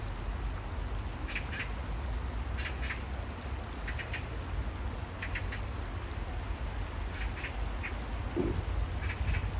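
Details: Oriental magpie near water on a hot day calling repeatedly in rasping pairs, about one pair every 1.2 seconds across the clip, with a low droning background and a brief soft thud near the end.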